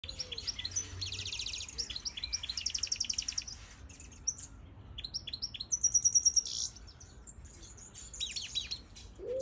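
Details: Major goldfinch singing in a bird aviary: rapid high twittering, buzzy trilled bursts and tinkling notes, bright repeated phrases with brief pauses, fairly loud and continuous.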